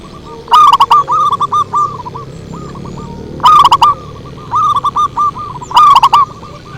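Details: Zebra dove lure song: bursts of rapid, bright, rolling coo notes in short phrases about every one to two seconds, a loud nearby bird answered by softer, more distant doves cooing between phrases.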